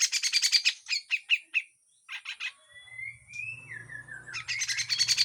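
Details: Grey-cheeked bulbul giving harsh, full besetan song as a training recording: rapid rasping chatter, a few separate chips, then a long wavering whistle that rises and falls before the quick harsh notes return. A low hum runs underneath.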